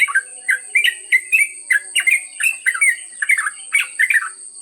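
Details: Yellow-vented bulbul in a long ngropel trucuk performance: rapid rolling series of burbling, slurred notes about three per second, with a constant high-pitched hum behind.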